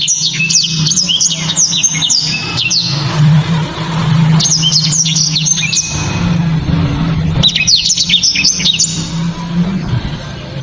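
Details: Captive black-throated canary, favoured by Indonesian bird-song enthusiasts for hard, crisp shots, gives three bursts of fast high twittering and whistled notes separated by short gaps, over a steady low engine-like hum.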